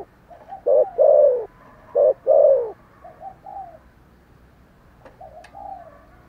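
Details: Spotted dove calling and cooing vigorously: two loud low coo phrases, each a short note followed by a longer falling coo, then softer fainter cooing notes and a few clicks toward the end.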